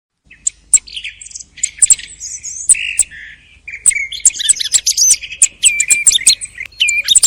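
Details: Thrush song recorded at the end of the hunting season: a rapid run of sharp high clicks and squeaky notes with short buzzy whistled phrases around the middle range, delivered in fast bursts with brief pauses.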